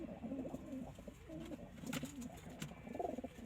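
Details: Kept pigeons coo in low, gurgling phrases almost without pause, a few sharp clicks mixed in over the rolling notes.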